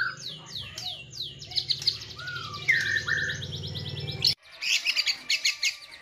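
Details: White-rumped shama pouring out sweeping whistles and a dense buzzy trill, with slurred lower whistles midway, a sudden break, then bright rapid chips, all over a strong low hum.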